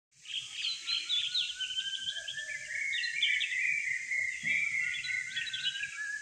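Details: Birds in a village at Kolbandre, Dapoli, Ratnagiri, recorded between 6.00 and 6.30am: several overlapping high chirps and short twittering phrases over a steady high-pitched insect-like drone.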